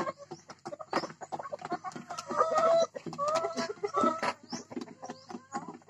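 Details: Hybrid laying hen about to lay an egg on a Thai farm, giving repeated clucks and drawn-out, rising-falling squawks in the middle, with other hens clucking around and a faint steady high whine.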